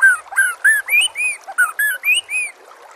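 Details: Loud whistled phrase of the White-rumped shama, a master song for training other birds: about nine rich, arched whistles in quick succession, some rising and some dipping.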